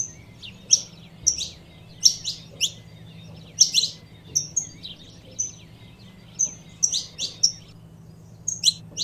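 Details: Calling female saffron finch used to excite a male: high sharp chirps interspersed with thin whistled notes, irregular pairs and singles, with a continuous low hum.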